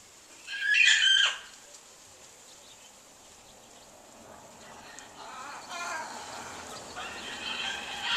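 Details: Large pet bird kept on a back porch, making noises neighbours find annoying, recorded in January; a harsh, loud screech lasting under a second, then faint, ragged calling in the background.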